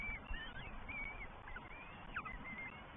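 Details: Three Northern goshawk chicks begging as first their mother, then their father feed them at a New Forest nest on 20 May 2023, picked up by a live nest camera. Thin, drawn-out whistles wavering slightly, repeated over a steady low rumble.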